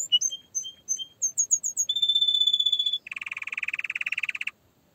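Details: Singing canary delivers a varied phrase: scattered high chips and whistles, a long steady whistled note, then a dense buzzy low trill before silence.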